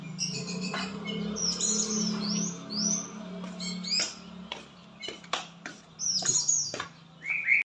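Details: Lovebird from Palembang, Indonesia, in konslet song: rapid high chattering chirps and upward-sweeping squeaky notes broken by sharp clicks, over a steady low droning background that fades midway.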